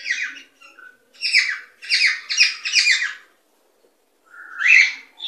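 A cockatiel gives a run of harsh, buzzy chirps in quick bursts, then a rising whistled note near the end; no other sounds stand out.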